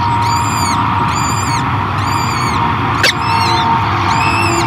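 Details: A nesting peregrine falcon at Great Spirit Bluff in 2023 feeds newly hatched chicks. Five drawn-out, arched, harmonic whining calls come in a regular series, with a sharp click midway and a constant droning hum underneath.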